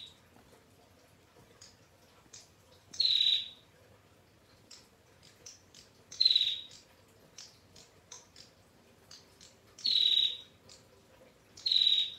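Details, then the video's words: Female bar-winged prinia, vocal and clear-voiced, producing long 'ngetir' trills: four intense buzzy high notes spread across twelve seconds at uneven intervals, interspersed with many soft, brief chirps. "PRENJAK TAMU BETINA Gacor NGETIR PANJANG Suara JERNIH"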